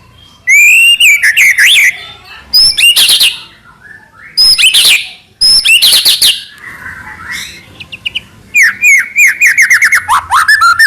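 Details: White-rumped shama, the murai batu, singing loud bursts of sharp high rising whistles and harsh chattering notes, with a buzzy rasping passage midway and a quick descending series of slurred whistles near the end.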